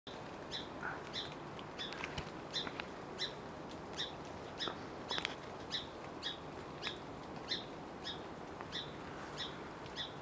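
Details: Song Sparrow alarm-calling near a Western Screech Owl hidden in a spruce amid salmonberry thicket: sharp, high chip notes about every half second at a steady pace, with faint clicks and rustles.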